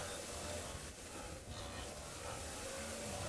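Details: Steady broadband hiss and low engine rumble with faint muffled speech, no animal calls heard.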